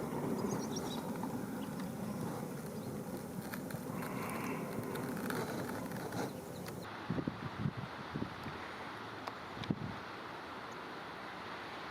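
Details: Broadband rumble of wind and engine-like noise fills the first half, then softer background hiss with a few brief knocks and thumps, no animal calls.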